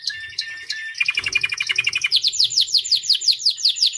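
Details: Singing white canary delivers sharp chirps, then a quick pulsing trill and a series of high, repeated downward-slurred whistles at a brisk, even pace.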